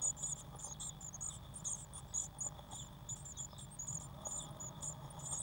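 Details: Eurasian blue tit chicks in a nest box on 1 June 2016, growing fast on waxworms, give a dense chorus of thin, very high, short squeaky notes in quick irregular bursts over a steady low hum.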